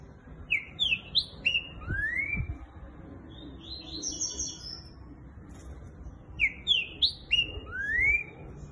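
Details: Green-winged saltator, a caged bird singing in the fast boiadeiro style: rapid series of three or four bright descending whistles ending in a long upward slur, repeated twice with a busy high twittering passage between, over low room noise.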